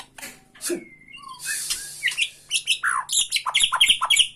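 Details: White-rumped shama from Borneo, tretekan rattling song used to provoke another shama: scattered notes at first, then a quickening run of short sharp chips and downward-slurred whistles, with a faint low hum behind.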